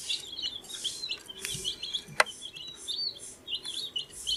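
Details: Baby chicks, 14 days old, chirp in busy overlapping peeps, high and slightly trilled, interrupted by a loud sharp tap near the middle and soft rustling throughout.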